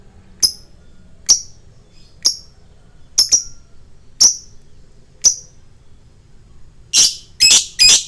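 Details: Lovebird lure sound for fighter birds: isolated sharp high chirps roughly once a second, some in pairs, ending in three louder, broader harsh notes.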